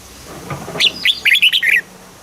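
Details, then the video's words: Red-whiskered bulbul song in the southern master style, played to stimulate caged birds and teach young birds: a quick phrase of five or six bright, warbled notes over about one second, dipping and rising, with a faint low hum beneath. "เสียงนกกรงหัวจุก สำหรับต่อ หรือ เปิดให้นกคึก เสียงเพราะๆ"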